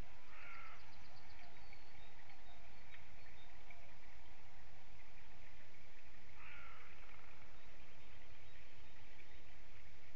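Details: White-tailed eagle (Haliaeetus albicilla) at sunrise, 20 March 2016, gives two short, harsh yelping calls about six seconds apart against a steady roar of wind or distant rumble.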